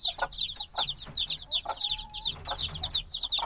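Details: Noisy newly hatched black chicks, a few days old, still needing their mother's warmth; rapid high peeps fall in pitch, crowding together almost three per second, with a brief thin steady tone in the middle.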